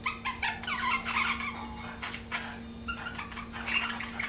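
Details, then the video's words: Budgies chirping in a dense, rapid warble of scratchy notes and quick chirps, nearly continuous for about four seconds, with a steady low hum in the background. "BUDGIES CHIRPING SOUND"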